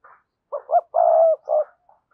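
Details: One cườm sa phrase from a Spotted dove cooing to stir other doves to coo. Two short notes, a sustained low hoot and a clipped closing note, with faint soft sounds before and after.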